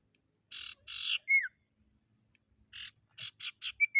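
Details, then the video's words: Ashy tailorbird, a lure recording meant to stir kept birds from silence into loud song. Harsh, buzzy notes come in pairs and short rapid runs. Two clear downslurred whistles mark the phrase ends. "Burung sirtu konslet gacor"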